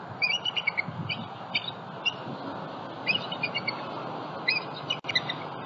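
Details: Bald eagles at their Southwest Florida nest with eggs, captured by a live cam on a February 2020 morning as a juvenile flies past; rapid runs of thin, high twittering chirps in three bursts over broadband hiss.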